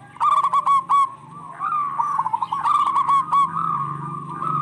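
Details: Local zebra doves answering each other in lively song, offered as a lure for stressed birds; clipped cooing notes at the start give way to overlapping, rolling coos from more than one bird over a low hum.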